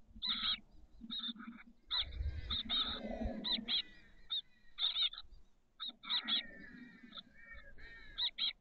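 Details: Chestnut-backed chickadee young, 13 days old, in a nest box on the SF Bay south peninsula, 30 May 2023. Buzzy chattering bursts come in clusters, mixed with low rumbling thumps and rustling inside the box.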